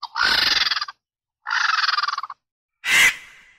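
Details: A vulture, one of several African birds recorded in their natural habitat, gives two harsh, rattling rasps of about a second each, then a short hoarse hiss, with no other sounds.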